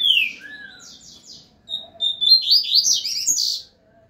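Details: A double-collared seedeater about three to four years old, a steady singer that does not miss notes, sings a quick jumble of bright whistles and buzzy trills, opening with a falling note, then a rapid rising warbled run.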